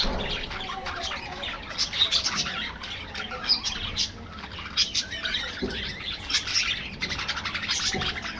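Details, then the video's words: Captive budgerigars in an aviary, feeding in the afternoon, fill the air with dense high chirps, squeaks and warbling chatter from many birds at once, with a soft background rumble. "Budgies Enjoying Afternoon Diet"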